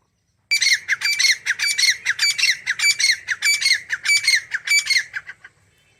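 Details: Grey francolin, a wild game bird of South Asia, calling: loud, harsh, high-pitched notes repeated rapidly in an even, rhythmic series for about five seconds, then stopping abruptly.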